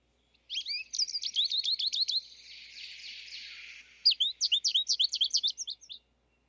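American Goldfinch song: two bursts of quick, high, twittering and warbling notes separated by a stretch of soft hiss.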